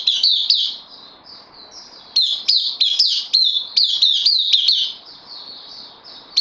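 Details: Caged bulbul, a newcomer on loan, gives bursts of sharp, bright notes that slur downward, delivered rapidly in runs with short pauses between, over faint background hiss.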